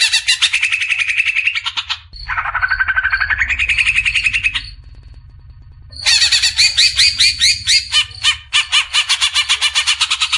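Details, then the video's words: Harsh besetan chatter of a greater green leafbird for caged-bird training: long buzzy rattles, one sliding upward, then a loud series of fast harsh notes, over a faint low hum. "Besetan suara burung CUCAK IJO"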